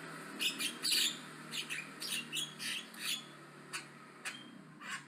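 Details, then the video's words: Aggressive Javan myna chatter, loud and energetic: a run of harsh, high scratchy notes and short squawks, some with brief whistled slurs, spaced roughly every half second over a steady low hum. "BURUNG JALAK KEBO AGRESIF NGOCEH KENCENG"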